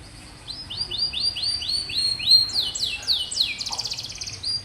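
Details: Canary song used to stimulate young canaries that rarely sing: a series of rising whistled slurs repeated about four a second, leading into a dense trilled, buzzy passage.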